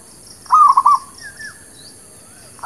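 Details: Zebra dove lure song for catching and training new birds: one phrase of three or four quick soft coos, followed by faint slurred notes from another bird and the start of the next phrase.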